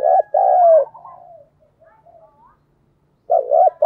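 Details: Spotted dove used as a decoy, urging and calling to bring wild doves in quickly. A strong drawn-out coo opens, then soft fading murmurs and a gap, before another loud double coo closes.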